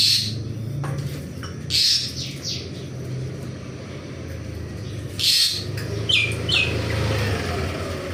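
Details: Asian pied starling during morning activity, giving short harsh chirps and squawks in scattered bursts, with long quiet gaps and a steady low hum throughout.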